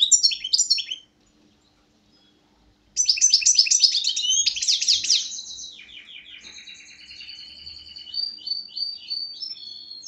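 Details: Captive European goldfinch caught last year, giving a short twitter, then after a pause a long, fast run of liquid twittering notes, buzzy rattles and thin trills.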